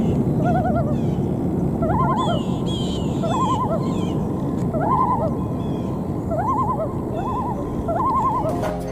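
Common loon tremolo: rapid wavering, laugh-like bursts of quavering notes, repeated over steady background rumble.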